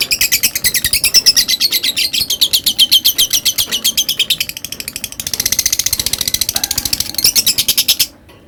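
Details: A lovebird sustains its long ngekek chatter for about eight seconds, a fast, even string of piercing, scratchy high notes that changes tone midway, then abruptly falls silent.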